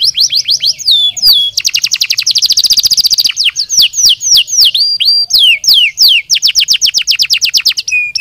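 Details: Canary song meant to stimulate other birds to sing: rolling high trills at differing speeds, with a dense buzzy stretch and swooping descending whistles between phrases, ending on lower flat notes.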